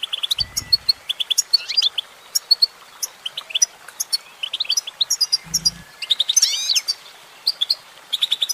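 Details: Singing female goldfinch giving a lively stream of high twittering notes, with quick chirp bursts and a fast tumbling trill of rising and falling slurs near the end, plus a few low thumps.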